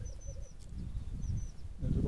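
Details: Male black grouse in 2014, calling when irritated by a rival coming too close: a short run of low bubbling, cooing notes, with thin high whistles of another bird above, then a person speaking over low rumbling noise.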